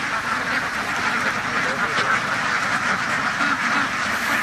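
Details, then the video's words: A large group of farm ducks quacks nonstop, with rough nasal calls overlapping into a steady din. "duck farm ducks house بطخ بطخوں کا فارم"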